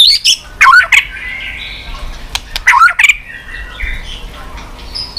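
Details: White-rumped shama 'tạch' song: two short bursts of sharp clicks and descending slurred whistles about two seconds apart, with soft warbling between and quieter notes at the end.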